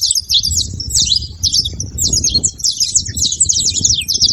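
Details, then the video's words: Group of saffron finches calling together: rapid overlapping high chirps and twittering phrases without pause, over a low murmur of background noise. "canário da terra junto fazendo barulho"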